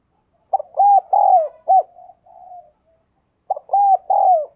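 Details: Spotted dove decoy calling to lure others: two phrases, each a sharp short note followed by arched coos and a longer sliding coo, with a quiet purr between them.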